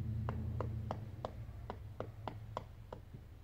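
A Pileated woodpecker pecks inside a tree: about nine sharp, hollow knocks at a steady pace, roughly three per second, over a low background hum.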